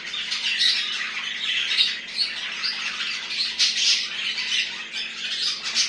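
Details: Pet budgerigars at home chatter nonstop in a dense, raspy warble mixed with sharper squawks. A faint mains hum runs underneath.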